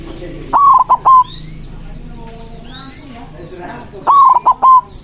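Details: A white zebra dove sings to call and answer rival doves: twin phrases of rapid, clipped coos ending in a sustained note, about three and a half seconds apart, with soft chirping birds in the background.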